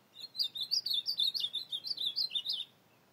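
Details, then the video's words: Ultramarine grosbeak recorded singing at night in the field, 25 August 2024; a rapid run of roughly fifteen short, high, slurred notes bouncing up and down, about two and a half seconds long, over a quiet background. "azulão noturno na campeada"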